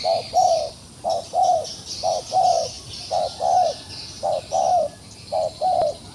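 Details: A trapped wild pigeon gives low, hollow coos in pairs, a short note then a longer one, about once a second, over a steady high insect hiss.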